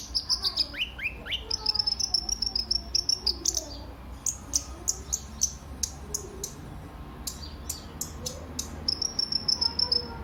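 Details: Active kolibri ninja (brown-throated sunbird) song used as a lure and master for all kinds of birds: long runs of rapid, very high staccato chips mixed with thin sliding whistles, nearly continuous throughout.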